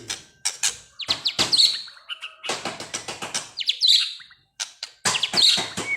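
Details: White-rumped shama, kept caged and described as agitated, giving sharp repeated clicks and harsh bursts with high ringing whistled notes, in irregular rapid sequences.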